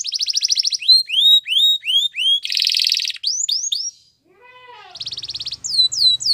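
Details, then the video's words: Belgian canary song mixing a buzzy trill, looping whistled upsweeps and a harsh roll, then a quiet descending phrase before the trills resume, with a low hum audible. "The best canary sounds | Belgian canary singing"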